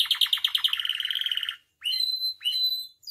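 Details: Captive canary training song: a fast pulsing trill for one and a half seconds, then two rising whistled notes each levelling into a steady tone.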